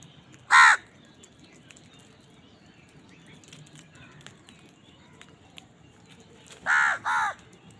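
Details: A house crow caws while feeding amid squabbles over food: one loud harsh caw near the start, a long pause with faint background noise, then two quick caws in close succession at the end.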